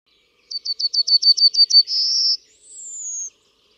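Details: Yellowhammer singing a full phrase: about ten quick, identical chipping notes in a rapid run, then a long buzzy note and a final higher, thin, slowly falling whistle. No other sounds.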